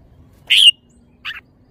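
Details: Red-whiskered bulbul gives a bright, strong whistled note that slurs upward, followed after a pause by a shorter, softer chirped phrase; little else is heard.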